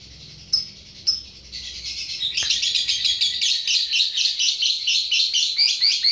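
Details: Lovebird giving an excited calling display to provoke rival fighter birds: a few separate shrill notes, then a fast, continuous run of harsh, high chirps repeated about twice a second.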